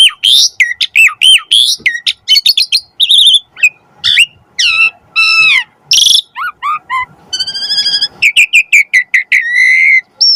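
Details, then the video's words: Asian pied starling (jalak suren) song used as masteran and trigger material to get starlings singing, full of rich varied phrases: rapid sequence of loud whistles, slurred notes and buzzy ringing bursts with short gaps, some low rustling beneath. "Suara Burung Jalak Suren - Masteran & Pancingan Jalak Agar Mompa Gacor Full Isian Mewah & Bagus"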